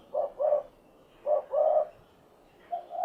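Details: Spotted dove, known locally as derkuku, giving soft low coos in two paired bursts, each a short note followed by a longer rolling one, with a quiet gap before a fresh phrase starts at the end.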